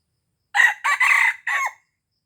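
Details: Red junglefowl from Aceh crowing, a call used to lure wild junglefowl: one clipped crow of four loud, harsh, ragged bursts, the third longest and the last trailing off, in a quiet background.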